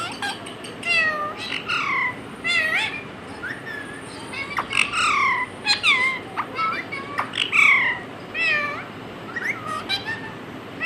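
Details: A talking pet parrot imitates words and a cat's meow, giving long strings of bent, harmonic chatter and sharp squawks, packed tightly with few pauses over ten seconds.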